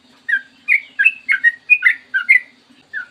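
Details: Sooty-headed bulbul singing clearly in the morning, a lure to prompt bulbuls to sing. About ten short, slurred whistled notes, some paired, bounce in uneven rhythm over about three seconds.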